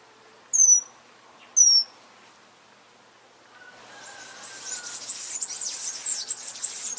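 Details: Amazilia hummingbird giving two loud, high, sharply descending chips about a second apart, followed by a rising hiss of insect-like buzzing that fills the upper register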